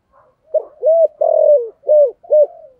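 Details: Luring call of a spotted dove in the 'thổ' voice: five low, hollow coos in quick succession, the third longest and sliding downward, the others short and rounded, ending in a soft trailing note, with clean silence around them.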